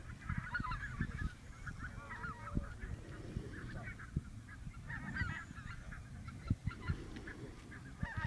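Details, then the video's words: Lesser white-fronted goose at Camperduin, the Netherlands: many high yelping goose calls overlap in a flock chorus, with low rumbling wind and a few distant clicks and knocks underneath. "Lesser White fronted Goose"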